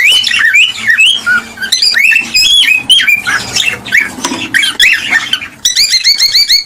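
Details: Cockatiel song for prompting a pair to mate and breed: short arched whistles repeated in a loose series, a stretch of busier chatter, then a fast run of evenly spaced rising chirps at the end.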